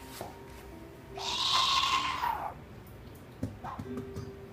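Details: Captive Southern white-faced owl (Ptilopsis granti) at an owl cafe in Japan gives one harsh, hissing, monster-like screech lasting over a second, over faint background music and indoor clatter.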